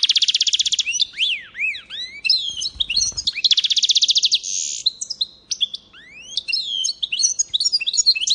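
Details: Goldfinch × canary mule from 2022 delivering a lively varied song: dry rattling trills, arching whistled slurs and quick twittered runs, with a brief low knock partway through.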